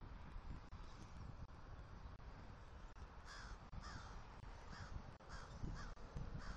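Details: Southwest Florida eagles, a male with a new female, vocalize while mating on the nest attic on the morning of 1 October 2023 during nest building. A rhythmic series of arched calls builds over the last half, with wind throughout.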